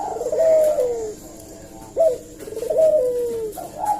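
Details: Lure call of a Eurasian collared dove, used to provoke an answer: a sharp rising note, then a sustained mellow coo that slides downward, repeated about every two seconds.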